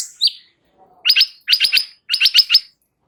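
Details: Training song of a light-vented bulbul meant to make other birds reply: one short note, then three quick clusters of three or four sharp, buzzy chattered notes, each cluster separated by a brief pause.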